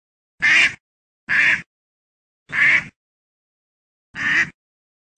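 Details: Repeated rasping duck quacks, five short nasal bursts spread unevenly over a few seconds, with no other sounds between them.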